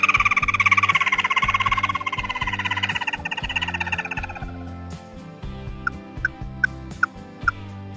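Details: Songbird called chim mắt đỏ: a long, rapid, buzzy trill that gradually weakens, followed by a few spaced, sharp pips, with a rhythmic music track running underneath.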